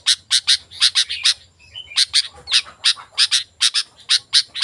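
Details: Sooty-headed bulbul, played to lure wild bulbuls: clusters of three or four sharp, bright chips, a short pause with soft fluttering notes, then more paired chips.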